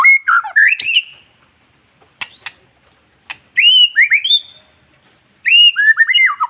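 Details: White-rumped shama (murai batu), a kept songbird, singing to rouse other shamas: short groups of loud, clear whistled notes rising and falling, separated by pauses and occasional sharp clicks.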